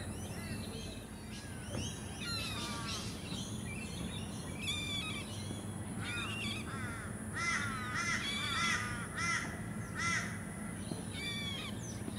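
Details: Forest kingfisher filmed on the Sunshine Coast, Queensland, in February 2024, giving harsh, buzzy, harmonic-rich trilled notes in repeated bursts, some in quick doubled series, over a steady high insect-like hiss and low rumbling background noise.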